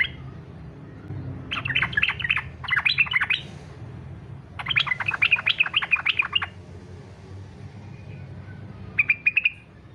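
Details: Yellow-vented bulbul singing in fighter style, meant to prompt other bulbuls to sing: rapid bursts of bubbling, warbled notes around two seconds long, separated by pauses, with a short whistled phrase near the end over low hum.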